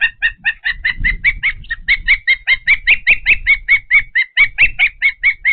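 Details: Osprey calling at a nest in Patuxent River Park around feeding time, giving a long run of rapid, piercing whistled chirps, some slightly upslurred, with soft low thumps and rustling beneath.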